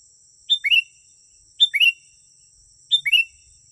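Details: Sooty-headed bulbul singing, recorded as a lure for wild birds: three clear phrases about every 1.2 seconds, each a sharp note followed by a quick downward-then-rising liquid slur, with a constant thin high hum behind.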